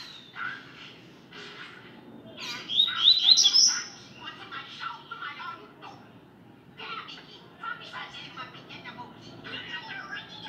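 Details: Rusty-collared seedeater singing in the tui tui song style: bursts of varied whistled and buzzy notes in short phrases separated by brief pauses, with a sharp high note near the middle.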